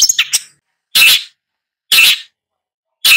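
Long-tailed shrike giving harsh, raspy notes roughly once a second, after a few quick chattering notes at the start.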